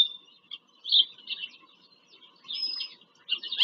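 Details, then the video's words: Bald eagle at a nest in Pennsylvania farm country, 5 February 2023, heard through a live nest camera during a visit to the nest. Scattered high piping chirps come in short clusters separated by quiet gaps. "bieliki - wizyta w gnieździe"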